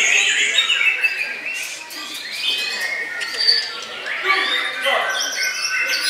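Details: White-rumped shama singing: a dense run of varied, rapidly changing whistled phrases and chirps with sharp rising and falling notes, in overlapping bursts.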